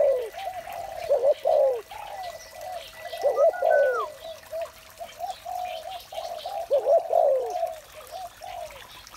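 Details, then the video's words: Morning calls of a spotted dove: a series of low, rounded coos in loose groups, loudest bursts repeating every few seconds, with one short higher slurred whistle in the middle. "Một buổi sáng tràn ngập niềm vui từ tiếng chim cu gáy"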